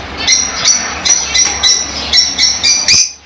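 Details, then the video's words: Shrill lovebird chirps repeated roughly three times a second, each a sharp high squeak with harsh overtones, steady and insistent, with a faint low hum underneath. "LoveBirds Sounds For 30 minutes"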